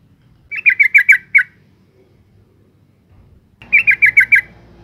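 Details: Female yellow-vented bulbul giving its lure call to excite males: two bursts of five to six fast, raspy chattering notes, about three seconds apart, with a soft low hum rising in the second burst.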